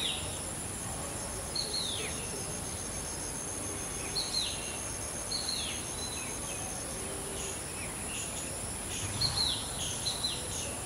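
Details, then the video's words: Black drongo imitating a shikra's call, giving about eight high, descending whistled notes in loose irregular series over eleven seconds, with constant insect-like hiss and faint lower chirps behind. "Black Drongo Mimicking Shikra Call"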